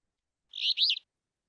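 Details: An alder flycatcher gives a single burry, two-part "rree-BEE-o", about half a second long, rough buzzy first note and rising slurred ending, with a common yellowthroat singing in the background at the start. Alder Flycatcher.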